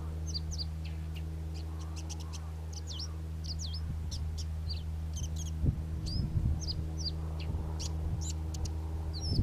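A Karoo scrub robin sings a run of short, high, whistled and scratchy notes in quick, uneven bursts over a steady low rumble and some knocking sounds.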